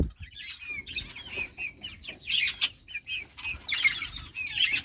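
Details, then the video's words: Breeding budgerigars playing in summer, August 2023: quick bright chirps and warbled squeaks in irregular clusters, with brief flutters between them. "budgies beautiful colors playing and chirping budgies breeding progress in summer"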